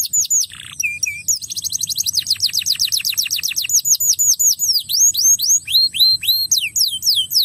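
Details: Crested canary song meant to get young canaries singing: a low rasp and a few flat chirps, then a rapid tour of short repeated notes, then a series of bright downward-slurred whistles.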